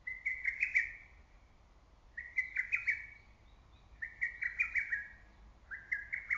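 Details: In early summer woodland, a lesser cuckoo repeats its loud, choppy whistled phrase four times, each a quick run of accented notes lasting about a second, over a steady low rumble of background noise.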